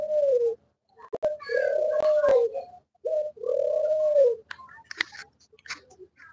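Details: Australian doves on a farm: repeated mellow coos, a short note followed by a long, smooth, slightly arching tone, about three in the first four seconds, then scattered clicks and brief faint chirps.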